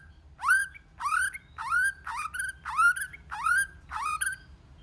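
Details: White-rumped shama singing in many voices, used to rouse other shamas: a rich, upward-swooping note repeated seven times, roughly every two-thirds of a second, in a steady series.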